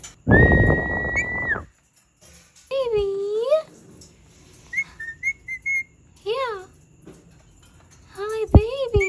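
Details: Indian ringneck parakeet, said to be angry: a loud harsh burst topped by a held whistle, then curved harmonic calls, clipped high chirps and wobbling notes in an indoor room.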